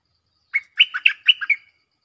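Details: Cream-vented bulbul calling a mate as a luring call: one fast phrase of about seven bubbling, gurgled notes that dip and rise, clean with no background.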